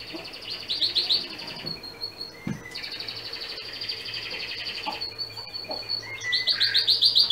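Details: Canary singing used to train a young male separated from his parents into a separate cage; rapid high trills and rolls with short pauses, some lower notes between, faint background hum.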